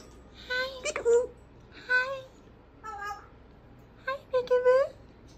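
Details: Indoors, a big parrot talks non-stop with peekaboo: four nasal, voice-like phrases with stacked harmonics and squeaky gliding ends, spread over five seconds.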